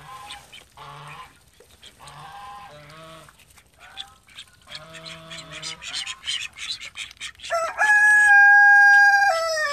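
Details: Call ducks kept at home, a group of thirteen, uttering short nasal calls in bursts, then a run of quick quacks, followed by a loud sustained whistling tone near the end.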